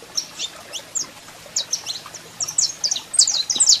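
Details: Saffron finch male singing as a female calls: high, bright chirps and short slurred notes, spaced at first, then crowding into a rapid cluster toward the end.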